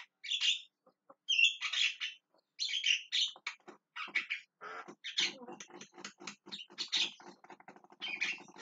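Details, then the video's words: Javan myna calling: harsh, scratchy squawks mixed with a rapid stuttering, buzzy chatter that runs on without breaks through the second half. "JALAK KEBO TERIAK TERIAK MEMANGGIL"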